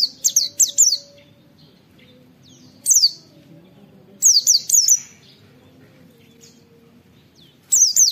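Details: Sharp "wit wit" calls of an oriental white-eye for song training: scattered groups of two to four high, falling whistles separated by pauses of about one to three seconds.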